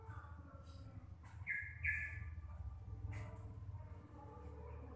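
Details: A local Javanese yellow-vented bulbul, whose voice is described as bassy, clear and loud, gives a few short, bubbly, slurred notes in the middle range, then breaks off, over a steady low rumble.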